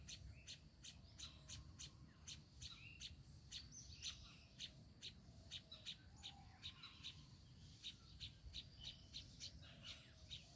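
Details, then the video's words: Baya weaver with its chicks: steady, rapid chatter of short high chirps in uneven bursts, some soft lower whistles beneath, a constant high insect whine and low hum behind. "babui pakhi are tar baccha"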